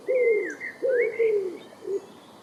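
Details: Common Wood Pigeon recorded in the wild, giving deep, soft cooing notes in three phrases: a falling coo, a longer drawn-out coo, then a short final note. A fainter, higher whistled line runs above the coos.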